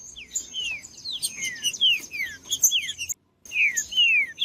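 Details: Green-winged saltator singing to stir cold saltators into song: smooth falling whistles in a lively phrase, cut by a brief silence, then more descending notes, with high chirps from other birds.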